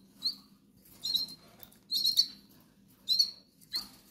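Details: Hungry goldfinch chicks, with a few sharp, high squeaky cries spaced about a second apart and quiet gaps between them over a low background hum.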